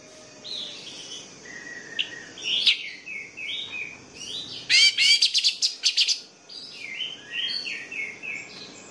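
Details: Orange-headed thrush singing, offered as a lure for sluggish birds that will not sing: varied short whistled phrases, with a burst of rapid buzzy, rattling notes in the middle, over constant high hiss.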